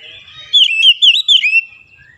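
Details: Brief oriental magpie-robin phrase in morning sunlight: three loud, wavering whistled slurs in quick succession, ending with a thin trailing note.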